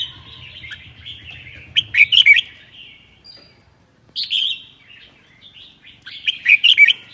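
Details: A red-whiskered bulbul from Sơn La, Vietnam, delivers its 'ché' song in cold weather. Three lively bursts of sharp, warbling chirps are separated by quieter pauses. A low hum fades out early.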